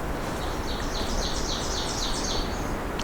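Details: A Magnolia Warbler on its territory in a May forest on a windy day sings a quick run of short, high, sweet notes, faint under a steady low rumble of wind.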